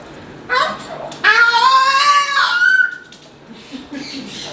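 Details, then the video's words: Pet male Moluccan cockatoo making noises while playing: a loud, drawn-out harmonic screech lasting about a second and a half, bending slightly up then down, preceded by a short squawk and followed by quieter chatter. "Moluccan Cockatoo Talking Compilation and Playing Running Jumping Making Noises"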